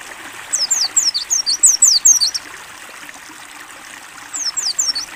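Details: Mountain white-eye singing clear ngalas-style song for training: a quick run of high slurred whistles sweeping downward, a pause filled by trickling water, then a few more falling notes.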